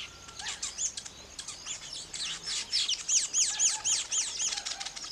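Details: Weaver birds calling while building nests: high, thin chirps, then a run of sharp, arched notes repeated about four times a second, with faint wing flutters.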